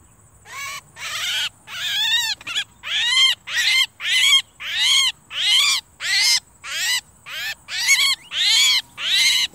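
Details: Javan myna calls used as a lure during bird trapping: loud, harsh, grating notes repeated about every three-quarters of a second, each broad and rasping with a slight upward sweep, over a faint steady hiss.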